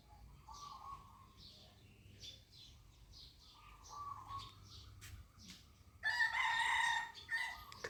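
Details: Crowing rooster on a cold, foggy morning in Ko Kha, Lampang, Thailand. Short repeated bird phrases lead in before a loud, sustained harmonic crow near the end, followed by a brief trailing note.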